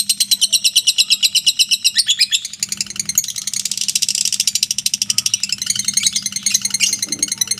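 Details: Mentil lovebird ngekek, a shrill rattling trill that starts strong, turns rougher and denser in the middle, then returns to clear rapid pulses, with a quiet low hum.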